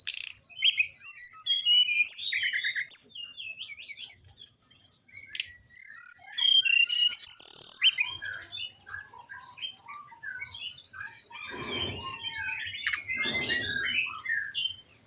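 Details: Orange-headed thrush song, used as a training recording for caged birds that are reluctant to sing: rapid, varied whistled notes and chirps, shifting phrases with short gaps, and two brief rough broadband bursts near the end.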